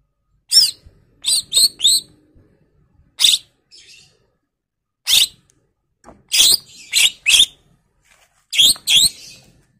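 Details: Greater green leafbird, 'gacor' full-fill ('isian') singing for a 'pancingan' lure: scattered harsh, raspy chattering notes, some in quick doubles and triples, separated by brief silences.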